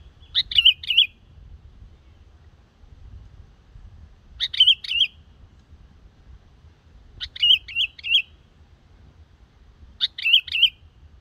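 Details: A young black-headed Yellow-vented Bulbul practising its song gives short, bubbly, chortling phrases about every three seconds, each under a second long, over a quiet low rumble.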